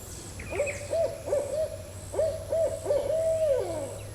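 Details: Barred Owl gives a rhythmic run of deep, rounded hoots, about three a second, ending in a drawn-out, down-slurred hoot, over a low hum. Viewers identify it as a barred owl, and one thinks it sounds like a mature owl.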